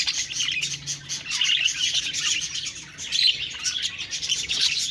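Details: Budgerigars chirping, an unbroken stream of high, overlapping twitters and warbles that rises slightly in loudness toward the end.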